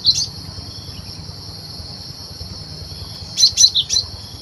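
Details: Wild cinereous tit in song, a recording used as a trapping lure: one brief high note, then after a long pause a quick run of four sharp high chirps, set against a continuous shrill insect chorus.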